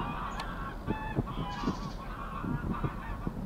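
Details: Greylag goose mother out for a swim with goslings at Getterön, Sweden, 20 April 2022: a series of short, harmonic honks and softer calls under constant low background noise.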